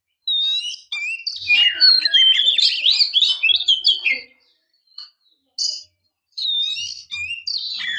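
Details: Oriental magpie-robin female calling to prompt males into song: a busy burst of twisting whistles and rattling notes, then brief chirps and a second fast warbling phrase.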